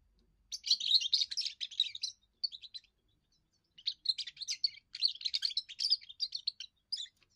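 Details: European goldfinch, young bird singing its first song to warn rivals off its area and attract females: two long bursts of rapid, chattering twitters and trills with a quiet gap between.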